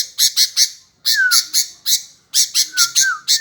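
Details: Sooty-headed bulbul that will not stay quiet: loud, rasping, squawky notes in rapid groups, with a couple of short descending whistles between them.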